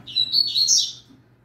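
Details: Young double-collared seedeater in full song for training: one dense, fast run of buzzy, high chattering notes lasting under a second, over a quiet low electrical hum.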